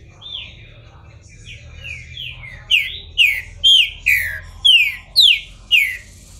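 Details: Green-winged Saltator, captive in Brazil, bald while coming out of moult. Soft gliding whistles build into seven loud, clear, descending notes repeated about twice a second.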